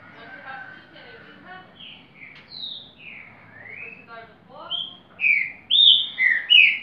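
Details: Green-winged saltator in repetidor song, beginning softly behind low murmuring sounds, then building into loud, clear whistled slurs that rise and fall, grouped closely together toward the end.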